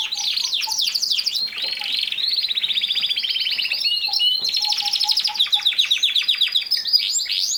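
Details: Canary in full song with fast pulsed trills and rattles, about two or three notes a second in places, and soft low whistled notes underneath.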